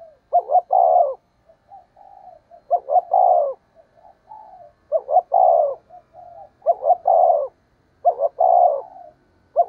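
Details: Spotted dove calling as a decoy to attract wild doves, delivering about five repeated phrases of gentle coos followed by two clipped notes and a loud falling coo.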